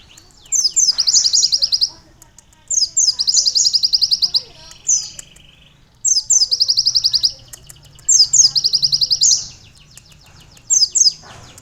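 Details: Sunbird singing with canary phrases added to its song; five bursts of fast, high, chattering trills recur roughly every two seconds with quiet gaps between.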